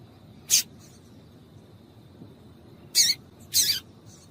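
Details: Double-collared Seedeater female call used to prompt a male to sing: single piercing high chirps, one early and two close together later, over low background hum.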